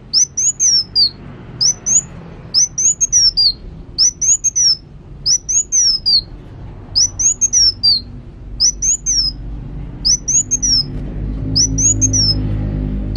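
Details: Kolibri wulung sunbird in full song, repeating short phrases of high sharp twittering notes with quick up-and-down slurs roughly every one and a half seconds, while a low hum builds toward the end.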